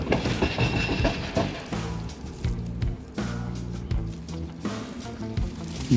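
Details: Background music with plucked and percussive notes and a little speech, with no animal sounds.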